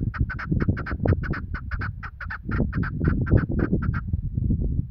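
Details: Female chukar partridge used by hunters, giving a rapid series of clipped, nasal notes, about four per second, that stop abruptly after four seconds, over low rumbling background noise.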